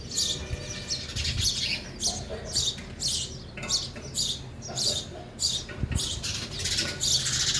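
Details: At a feeder, sparrows feed and call with a loose series of sharp high chirps and twitters, irregularly spaced, with some low thumps and background murmur.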